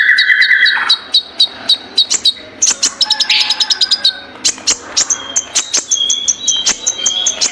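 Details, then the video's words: Energetic Ninja sunbird song. It opens with a sustained mid-pitched trill, then moves to rapid, evenly spaced high clicks and sharp chirps repeated several times a second, with occasional thin whistles. "suara Kolibri ninja terbaru"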